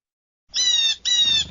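Blue Jay giving two harsh, nasal jeer notes in quick succession, each about half a second long, loud and rich in overtones.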